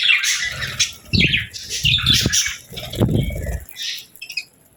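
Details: Happy pet budgies give rapid scratchy chirps and warbles, with repeated soft thumps and fluttering sounds below them, fading toward the end.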